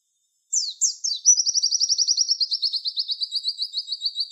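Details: Javan white-eye tutor song for training songbirds, "tembakan wit wit" style: three sharp high downslurred notes followed by a long, very rapid trill that slowly falls in pitch and keeps going to the end.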